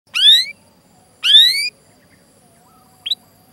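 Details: Canary call used as a training recording to prompt canaries to sing: two loud rising whistled chirps about a second apart, with harmonics, then a brief faint chirp near the end over a quiet background.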